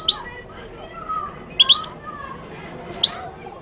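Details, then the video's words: Moroccan goldfinch singing: a single sharp high note, then a quick cluster of bright tinkling chirps, and another short twittered burst near the end. A faint low murmur runs underneath. "تغريد الحسون المغربي chant de chardonneret marocain"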